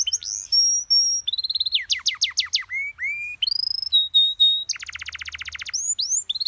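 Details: Canary song recorded as a master for training other birds, with pleasant phrasing easy to imitate: pure whistled notes, fast descending sweeps, steady high tones and a rapid buzzing trill near the end.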